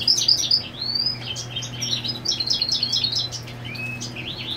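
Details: European goldfinch song given while the female sits on the nest: sharp high notes and a rising slurred whistle, then a quick tinkling twittered sequence and another short upslurred note, steady low hum in the background.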